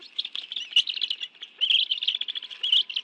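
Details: A wild bald eagle family feeds on fish at the nest, National Arboretum, Washington, D.C., 11 June 2017, afternoon; shrill, rapidly pulsed piping notes tumble together with brief dips between runs.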